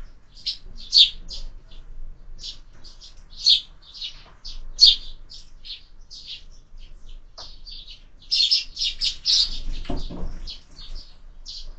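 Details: Sparrows at a window feeder, fed year-round, at breakfast; clear short chirps in loose bursts, a busier cluster of overlapping notes near the end, quiet background otherwise.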